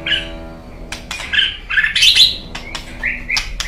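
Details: White-rumped shama, a kept songbird, giving short varied whistled notes and harsher buzzy bursts mixed with sharp clicks, with a steady low hum in the background.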